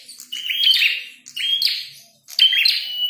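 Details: Red-headed prinia in a fight delivers three loud phrases, each a shrill whistle melting into harsh rattling buzz, spaced about a second apart.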